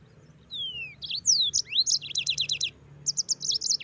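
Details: One long, clear whistle slides downward, then the yellow-fronted canary launches into swooping notes and fast, evenly repeated high chirps in a tight rolling sequence.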